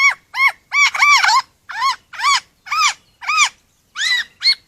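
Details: Lyrebird, a forest bird of Australia, repeating arched, ringing notes about every half second. Each note rises and falls, sounding like a honking, slightly nasal call, with about ten notes in the series.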